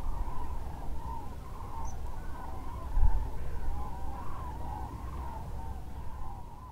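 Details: A crowd of Common Cranes heads out from the lake roost at Lac du Der-Chantecoq, France, before dawn to forage nearby. Wavering, bugling calls run on without pause, with a deep background rumble and a brief thump midway.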